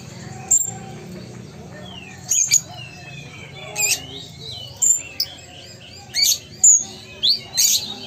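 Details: Ruby-cheeked sunbird (konin) from Sumatra, a kept bird raised for tutoring and contests, singing actively in gacor style: sharp, very high chirps and thin down-slurred whistles in scattered bursts, with a faint low hum behind.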